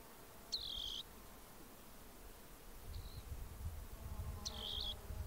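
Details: Rock wren (Salpinctes obsoletus), western North America, giving two short, buzzy, high trilled phrases about four seconds apart, with a faint thin note between and a low wind-like rumble underneath.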